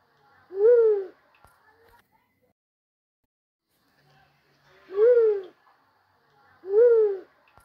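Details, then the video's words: White-headed fruit dove (bawod) song used in hunting: three low, hollow coos, each about half a second long with a slight rise and fall. The first comes alone, and the last two follow closely after a pause. The background is otherwise quiet. "Bawod song"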